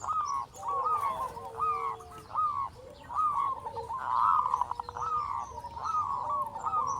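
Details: Local zebra dove singing in Indonesia, meant to spur other doves to sing. A continuous run of hooked, slurred coos comes with a brief rapid trill midway, over steady hiss and background noise.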